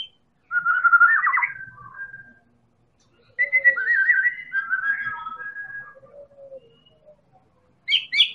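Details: Song of a Medan white-rumped shama, a champion-class bird, recorded to prompt other birds into song. Fluting whistled phrases with quick warbling trills are followed by softer drawn-out notes, then a brief high burst at the end.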